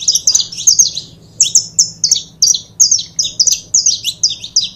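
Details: Saffron finch pair sing loud, ringing high chips, each note a quick slur, repeated in a regular pulse of about three per second over a faint low hum.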